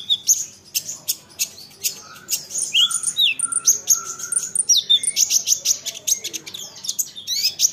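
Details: Olive-backed sunbird in full song, used to provoke answers from other sunbirds: an unbroken rush of high, sharp tinkling chirps and quick zigzag notes, with a few softer, lower short whistles in the middle.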